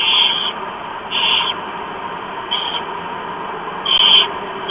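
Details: Morning feeding of four barn owl chicks in Chula Vista, USA, 28 October 2015 at 07:29; the young give repeated raspy hissing screeches, about five bursts spaced roughly one second apart, with steady hum underneath.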